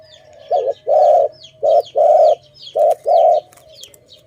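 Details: Dove from a bird-trapping setting giving low, hollow coos in pairs: a short wavering note, then a longer steady one, three pairs in about four seconds. Thin high chirps of small birds sound above it.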